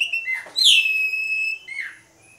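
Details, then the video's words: Asian pied starling in full song, used as a lure for other birds: a loud, bright whistle sweeping up then sliding down and holding, followed by a shorter falling harmonic note. "PANCINGAN JALAK SUREN, JALAK SUREN GACOR MOMPA"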